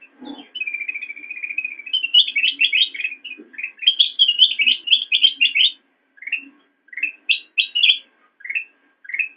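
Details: Black-crested bulbul master song for training cage birds, opening with a sustained trilled note, then dense rapid chattering phrases of bright notes, ending with spaced single rising chirps; faint low background sound.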